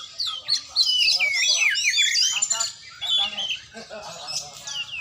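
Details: Oriental magpie-robin during a training session, singing a dense, rapid run of varied whistled and slurred notes, many sweeping up and down, in loud bursts with brief pauses near the three-second mark, with faint low background hum.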